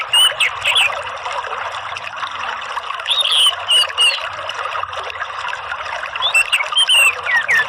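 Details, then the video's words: Orange-headed thrush song used as a therapy and lure recording, meant to prompt other birds into singing in the 'ngeplong' lure style: bright, slurred whistled phrases in short bursts with pauses, over a steady trickling, water-like background. "TERAPI ANIS MERAH UNTUK MEMANCING BUNYI ¦ PANCINGAN NGEPLONG ¦ KICAUAN"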